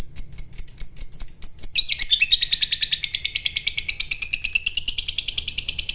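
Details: Fighter-type lovebird in a cage delivering a long ngekek: a thin high note runs into a rapid, rolling chatter of repeated chirps that continues steadily for several seconds.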